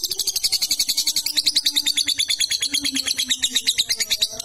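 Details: Lovebird chattering song used as a training recording, a long run of rapid ticking notes, about eight per second, harsh and high-pitched, steady throughout; faint low tones beneath.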